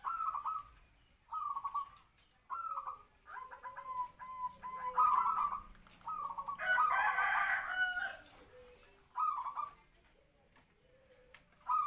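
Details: Local captive-bred zebra dove used as a trapping decoy, about three to four years old, with a medium-pitched voice already giving kwor kwor; soft cooing phrases repeat every second or so, interrupted midway by a louder harsh call.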